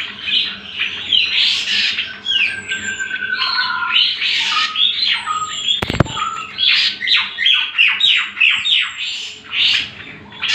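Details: Greater green leafbird singing as a master recording for training birds: rapid scratchy bursts, thin high whistles and downward slurs, then a quick run of loud chattered notes, broken once by a sharp knock.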